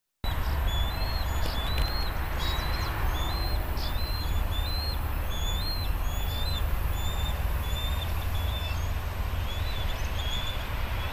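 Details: Juvenile bald eagles flying together at Hays, Pittsburgh, with the adult male calling in the background: thin, high piping chirps in a steady series, a few each second, over a heavy low rumble of wind or distant traffic.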